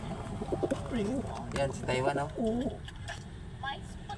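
Pigeon cooing in low, throaty, rolling phrases, several in quick succession over a couple of seconds, with faint background noise and possibly voices.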